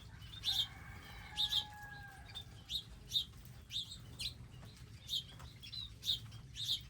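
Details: Wild birds visit garden feeders with seeds and water; bright high chirps, singly and in pairs, repeat about once a second, with a faint level tone early on and low hum.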